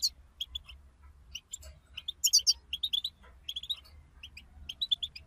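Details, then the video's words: European goldfinch group twittering (bitbita) to stimulate a kept goldfinch to sing: bright chirps in loose runs, with a louder burst of high tinkling notes midway, over soft low rumble. "أخرج حسونك من صمته واكتشف التغاريد المخفية لديه.. بتبتة رهيييبة وتحفيز خراااافي"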